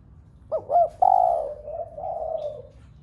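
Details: Spotted dove cooing to stir other doves into calling: two quick low rising notes, then a long, slightly wavering hooted coo that fades over about two seconds.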